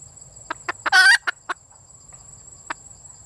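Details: Calling for a mate, a female red junglefowl gives sharp clucks that build into a short, loud raspy squawk, then a few more clucks trailing off, over a constant high-pitched whine.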